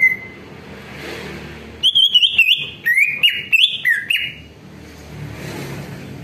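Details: A lure recording of greater green leafbird song, meant to warm up other leafbirds so they reply. One whistled note is followed by a quiet pause, then a quick two-second burst of about eight clear, stepping whistles, then quiet again.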